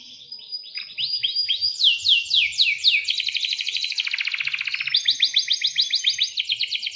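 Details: Vigorous long-rolling canary song: after quiet chirps, loud falling whistles run into a dense buzzy roll of rapid pulses, then a bright ringing trill of repeated high notes.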